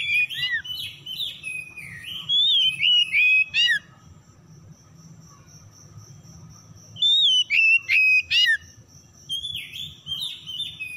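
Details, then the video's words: Lure recording of Oriental magpie-robin (kacer) song, meant to stir silent, stressed birds into singing. Varied whistled phrases alternate with loud, clipped, rising notes, then a pause filled by a steady high insect-like hum, then the whistling resumes. "PANCINGAN PEMIKAT KACER SETRES MACET BUNYI LANGSUNG GACOR"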